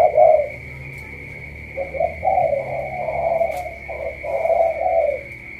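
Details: Low, soft spotted dove coos of the Cà Mau tú style, a few short notes leading into longer falling coos, with quiet pauses and a steady high electrical whine.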